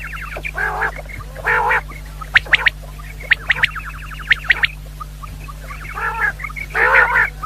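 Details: Common quail, said to be female, in a hunting lure recording. Paired nasal harmonic bursts open and close the passage, with sharp chirps and a rapid ticking run between them. A low steady hum lies underneath.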